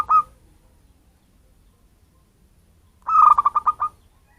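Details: Lure call of a wild local zebra dove used to attract birds: the tail of one phrase, then a full rolling phrase of a clear tone followed by quick throbbing pulses, silence between.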